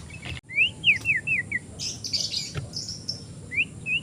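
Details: At a bird stall an untrained young oriental magpie-robin repeats descending whistled slurs about four times a second, with a hissy burst of high notes in the middle and steady low background noise.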